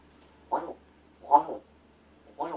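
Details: Indoors, a rescued Large-billed crow does vocal practice while its owner feigns sleep. Three short, rough, nasal caws come roughly one second apart over a faint steady room hum.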